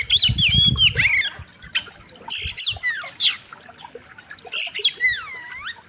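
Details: Kacer, the oriental magpie-robin, singing sharp varied phrases on a training master: arched whistled notes, buzzy bursts, a descending slur and a long curved whistle near the end.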